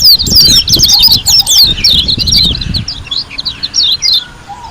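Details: Lombok white-eye singing in a dense, energetic burst of high twittering notes and quick descending slurs, busiest in the first half and thinning toward the end, with soft wing flutters and low thumps underneath.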